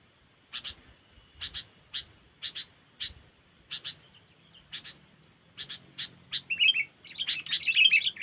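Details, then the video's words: Kutilang, the sooty-headed bulbul, giving a cengkeram-style trapping lure from Lampung: sharp clipped notes spaced roughly half a second apart, building into loud, rapid twittering chatter at the end. "Pikat Burung Kutilang Cengkeram"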